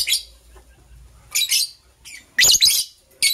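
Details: Chirping of green and blue lovebirds getting ready to lay eggs: shrill, scratchy high chirps in clustered bursts, with a longer, louder double burst near the end, over a low steady background hum.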